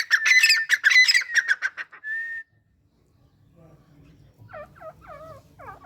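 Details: Male grey francolin with a female partner: a burst of harsh, rapid screechy notes, then one held flat whistle, followed by softer curving chirps after a short pause.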